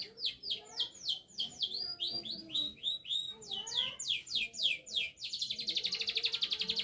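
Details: Singing canary, described as learning to shake its head: fast runs of repeated descending whistled notes, then a rapid, even rattling trill at the end.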